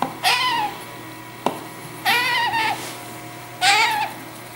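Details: Young hand-reared Congo grey parrots (Psittacus erithacus) give three drawn-out, nasal, wavering calls, each rising then falling, about every second and a half, with a sharp click between.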